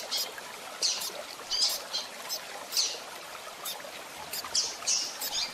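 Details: Female Double-collared seedeater calling to excite a male, played by keepers to warm up their bird: short, sharp, high chirps and squeaks repeated irregularly, roughly every half to one second, over faint background hiss.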